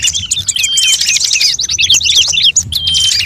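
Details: Bird chatter used as a lure, said to blend many bird types; busy, high-pitched chirping with a fast run of repeated downslurred notes in the middle and scattered whistled tones throughout.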